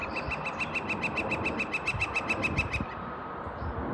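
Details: Woodpecker on a sunny Seattle morning, calling for females from a chimney top: a rapid, steady string of roughly seventeen sharp, evenly spaced notes, nearly three seconds long, then quiet hum.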